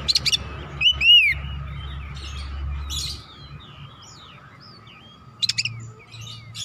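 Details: Oriental magpie-robin song played to stir other birds to sing. A few sharp clicks come first, then a bright upslurred whistle. Fainter scratchy notes and a short rattling burst follow, over a low rumble and steady hum.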